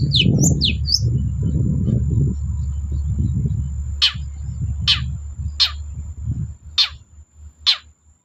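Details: Long-tailed shrike in lively song, played to prompt quiet shrikes to sing: a few quick high notes open, then five sharp, piercing downward-sweeping notes about a second apart, with a steady low rumble that fades away.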